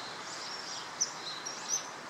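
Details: Male common kingfisher at the Tama River, 21 March 2013, gives two brief, sharp, very high whistled notes about three-quarters of a second apart, over a steady hiss of outdoor background noise.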